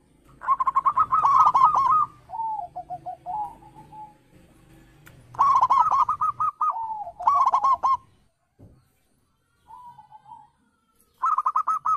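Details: Zebra doves, local and Bangkok birds, used as a lure to make other doves call back: repeated loud rolling coo phrases, each trailing into lower soft trills, separated by quiet gaps.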